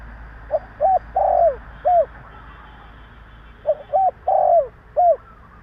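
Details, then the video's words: Spotted dove calling in Vietnam to provoke other doves into answering. Two identical phrases separated by a pause, each with quick soft coos, a drawn-out falling croon and a clipped last note; faint low hum behind. "Tiếng chim Cu gáy Gáy giọng bổi nghe cực ghét / Chim cu gáy kích bổi 100% mở là gáy"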